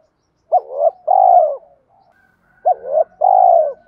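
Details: Spotted dove giving a fighting coo used to lure wild doves when trapping: two short phrases, each a brief rising note then a long, steady, slightly falling hollow coo, separated by a two-second pause; clean background.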